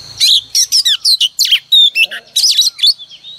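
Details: Decoy female oriental magpie-robin rousing males at dawn: a lively, continuous run of loud sharp whistles, buzzy chirps and swooping notes, rapidly varied, with a short low rustle near the middle.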